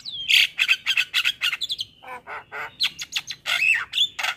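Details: Black-winged starling master training song, full of varied phrases: loud harsh squawks and chattering notes about three to four per second, broken by a few clear whistled slides, in a quiet setting.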